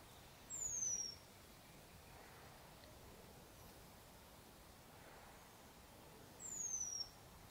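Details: Eurasian penduline tit at Valchico stream, Madrid, Spain, 15 May 2021, riverside woodland, giving two very high, thin, drawn-out descending whistles about six seconds apart over a soft rushing background.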